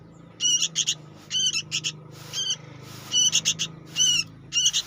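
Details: Chattering young sooty-headed bulbul used as a lure, giving grouped raspy buzzy notes in short clusters separated by pauses, over a steady low hum and background hiss.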